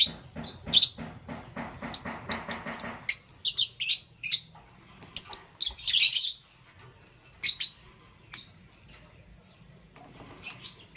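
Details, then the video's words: In the morning, green, yellow and lutino lovebirds produce quick successions of thin, high squeaky chirps and one harsher rasping burst midway, fading to sparse notes over the last few seconds. "Lovebird Chirping Sounds"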